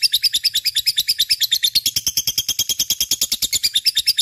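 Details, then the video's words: Lovebird in gacor, non-stop singing form, used as a lure to prompt other birds to sing: rapid, high, buzzy chattering notes about five per second, running continuously and steadily with slight rises and falls in pitch. "Suara Burung Love bird gacor cocok untuk pancingan"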